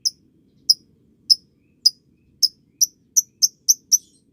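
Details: Lovebird recording aimed at youngsters: piercing high chirps that start about every half second and quicken toward the end into a closer-spaced run of ten notes.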